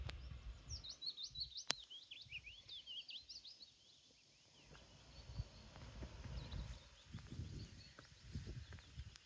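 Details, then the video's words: Birds on Inchcailloch Island, Loch Lomond, Scotland, in May 2024: high, quick chirps and twittering notes in a busy burst over the first few seconds, then fainter ones, over a steady low rumble of wind. "chirping birds"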